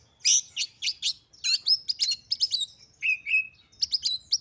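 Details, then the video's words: Female oriental magpie-robin lure to rouse males: rapid high chirps in clusters, a couple of lower drawn-out whistled notes, then another quick run of chirps. "Pancingan Kacer Agar Cepat Emosi || Langsung Bukor Tarung"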